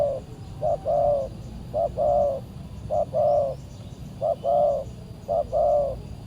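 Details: Aggressive tekukur, or spotted dove, responding to a decoy bird during trapping: four clear coo phrases, each a short note followed by a longer, fuller hooting note, spaced about a second apart over faint low rumble.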